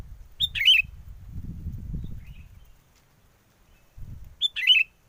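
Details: Sooty-headed bulbul used as a trapping lure amid strong wind: two short bubbly, warbled phrases about four seconds apart, separated by a loud gust of low wind rumble.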